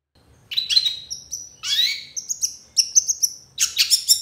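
A long-tailed shrike gives a fast, varied song of scratchy chatters, sharp whistled notes and short trills, high-pitched and delivered in bursts with brief pauses.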